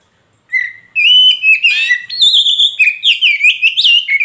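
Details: Oriental magpie-robin (kacer poci) song used as a lure to make silent magpie-robins answer: a rich, varied run of loud whistles, slurred notes and rapid twittering phrases, high and almost without pause.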